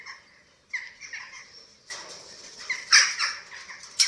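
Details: Eurasian eagle-owls at the nest in Germany, webcam footage from 27 March 2024 during feeding of chicks. Soft squeaky notes give way to a louder, harsh jumble of squawks and sharp shrieks.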